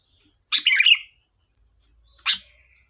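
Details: Sooty-headed bulbul singing briskly for use as a lure: one warbled, bubbling phrase followed a second later by a single short chirp, with a steady faint high tone behind.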